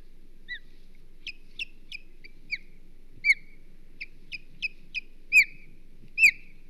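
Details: Wild male osprey at the Hog Island nest defending it on 22 May 2023 gives sharp, piercing, downslurred chirps in an irregular series, some faint and some loud, over a low steady hum.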